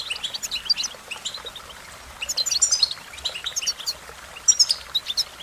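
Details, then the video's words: American goldfinch song of lively high chips and short warbled phrases, coming in several separate bursts with quiet spells between. "Goldfinch Melodies: A Collection of the Most Beautiful Songs"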